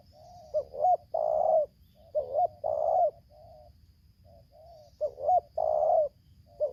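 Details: Lampung spotted dove decoy calling against a wild bird in 'tarik akar selang nguku' style: repeated phrases of short swelling coos leading into a long, burry, level coo, with soft low notes between phrases.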